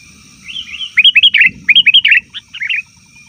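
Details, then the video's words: Sooty-headed bulbul call used for luring: soft rising whistles lead into quick bursts of bubbly, looping notes, several short phrases over about two seconds, a low thump midway. "suara burung kutilang ribut||ampuh untuk panggilan kutilang di hutan,kutilang di rumah pasti Nyaut"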